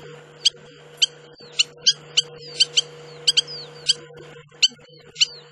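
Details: A spur-winged lapwing in the Hula Valley wetlands, Upper Galilee, Israel, gives sharp, metallic, high notes, about a dozen in five seconds, sometimes doubled, over a steady low mechanical hum.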